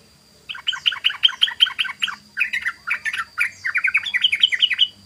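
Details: {'caption': 'Sooty-headed bulbul in full ropel song, delivering a quick series of bright, bouncing chirps in tight runs, one after another, with a thin high background whine.'}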